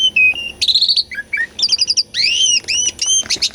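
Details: Asian pied starling song used as a lure to stimulate silent birds, recorded for real: a varied, loud medley of clear whistles, rapid repeated chirps, arched slurred notes and harsh buzzy bursts, all high-pitched with short pauses between phrases.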